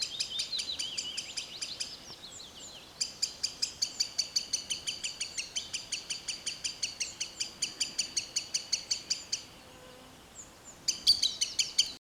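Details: Green sandpiper in a forest: bursts of fast, high, clipped ticks near three per second, with a brief lull after two seconds, a longer gap near ten seconds, then a renewed burst.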